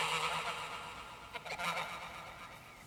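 Canada geese honking together in a harsh, overlapping chorus of nasal calls, with a few louder honks standing out midway over a steady background hiss.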